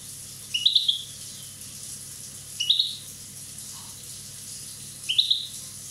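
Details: One-year-old Corsican European goldfinch giving brief high twittered phrases, three of them spaced roughly two and a half seconds apart, each a tight knot of sharp chirps, with constant low background hiss.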